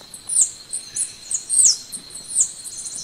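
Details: High, thin Golden-winged sparrow notes in short bright bursts with falling slurs, heard over a constant high hum.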